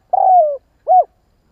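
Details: Spotted dove coo used as a lure to draw wild doves quickly, from Vietnam: one long, smooth note sliding gently downward, then a short, rounded rising-and-falling coo, in otherwise clean silence.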